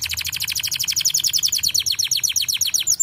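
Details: Canary song used to stimulate other birds to sing: a rapid, regular trill of short high notes, about four per second, continuing unbroken.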